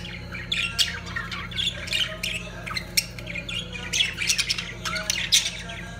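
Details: Lovebirds during mating give loud, harsh squawks and chattering chirps in rapid irregular bursts, overlapping one another, over a faint low hum.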